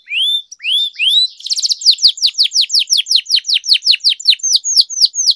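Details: Canary song used for training canaries to sing: two rising whistled notes, then a long rapid roll of repeated downslurred chips, nearly three per second, bright and high, with a few soft clicks.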